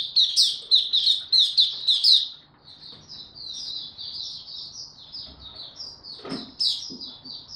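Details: Young white-eye with a song still maturing, dated 09-02-2022: opens with a series of loud, sharp chirps roughly twice a second, then settles into a softer continuous high twittering warble with a few thumps.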